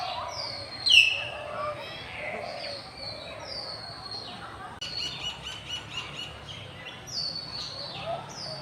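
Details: Several common hill mynas on a campus in afternoon light, 6 February 2024: one loud, sharp whistled note near the start, then softer scattered high whistles and chatter from other birds over steady background hum.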